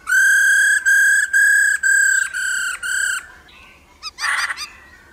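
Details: Female laughingthrush calls to excite males into song: six loud, level whistled notes with strong overtones, each about half a second, repeated steadily. They are followed by a quieter flicked note and a rough, chattering burst.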